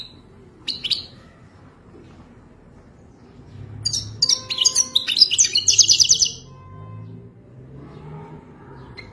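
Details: Goldfinch singing for mating, intended to help a caged goldfinch learn: a few isolated chirps, then a roughly two-second burst of rapid metallic twitters, then quiet with a low hum.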